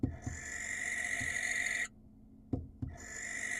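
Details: Wild barn owl on a nest camera in Israel, calling to attract a female: a long harsh hissing screech of nearly two seconds, a pause with soft thumps, then another screech begins.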